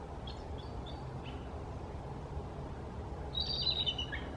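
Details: Bald eagle, the oldest of three perched together in a tree on the Snohomish River, calling with a short burst of high, thin, squeaky chattering notes near the end over steady low rumbling background noise.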